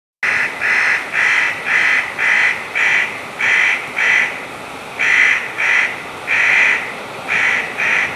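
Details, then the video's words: A jay making funny noises: a string of about a dozen harsh, rasping screeches, each under half a second, at a steady pace with short pauses between. "a jay making funny noises"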